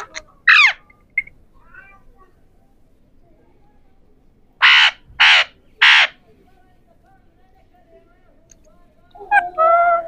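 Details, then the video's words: Three ringneck parrots, the Pahari parrot, talking: a few squeaky notes, then three loud, harsh, rasping screeches in quick succession, closing with a wavering, nasal phrase. "3 Ringneck Parrots Talking | Pahari Parrots"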